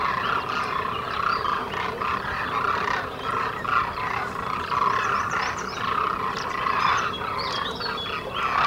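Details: Demoiselle cranes, a large migratory crane, in a flock giving many overlapping rolling, trumpeting calls in a continuous loud chorus.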